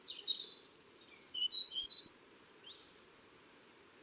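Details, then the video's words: Kinglet song, described as the highest, most sibilant sound among European birds: a rapid run of very thin, high, sibilant notes with a few lower trilled phrases, ending in a brief flourish, over a faint low hum. "Y el sonido más agudo, más sibilante que encontramos entre las aves europeas es el siseo de los reyezuelos. 6 gramos de pájaro no dan para más."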